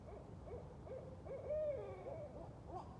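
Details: Wild Barred Owls caterwauling in a group at night, several flying back and forth; quick wobbling hoots lead into one long, clear, drawn-out rising-and-falling wail, then more short hoots.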